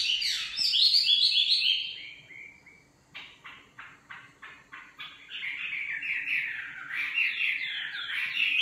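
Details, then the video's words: Nightingale singing: a loud descending whistled phrase, then a series of rapid clicking pulses repeated about four per second, followed by rich warbling trills in a varied, continuous flow. "Singing nightingale. amazing bird song"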